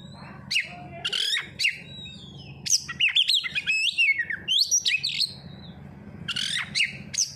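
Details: Oriental magpie-robin (kacer) used as a lure song to prompt other birds into singing: a loud, varied run of sweet whistles, sharp rising and falling notes and buzzy trills in quick bursts, with brief pauses between phrases.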